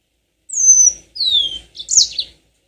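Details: Yellow-fronted canary song used as a lure to spur birds into long rolling song: three clear phrases, two high descending whistled slurs followed by a brief buzzy, chattering flourish, with a quiet background.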